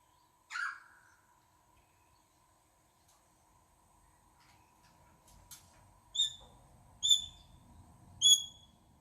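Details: A rainbow lorikeet visiting a veranda gives one harsh, screechy burst, then three short, shrill, high chirps about a second apart, with a low background rumble.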